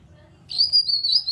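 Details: A short, shrill, wavering whistle from a grey-cheeked bulbul, used as a lure so that quiet kept birds join in and sing. Steady and high, with small quick pitch wobbles.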